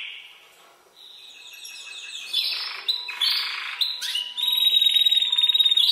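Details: Young Spanish Timbrado canary, seven months old and raised on recorded timbrado song, starts faintly, builds through buzzy rolls, and finishes with a loud, steady, metallic trill.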